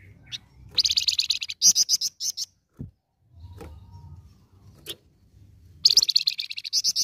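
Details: Flamboyan lure song to get other birds calling back: bursts of rapid, high, buzzy repeated notes, a pause with soft clicks and a low thud, then another fast trill starting up.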